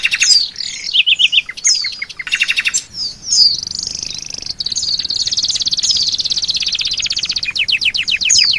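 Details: Training song of an Oriental white-eye, loaded with fill-in phrases copied from Asian pied starling, canary, kapas tembak and rambatan; stuttering chirps and buzzy bursts lead into a sustained high rattling trill, closing with fast sharp downward notes.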